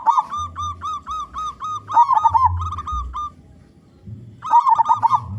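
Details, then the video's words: Local zebra dove with a big voice, used as a lure for its kind: steady, evenly repeated short hoots, four per second, lead into a warbled coo; after a pause, a fresh burst of hoots follows. "Perkutut Lokal Gacor Suara Besar (💯%AMPUH BANGET) Cocok Untuk Pancingan Semua Jenis Burung Perkutut"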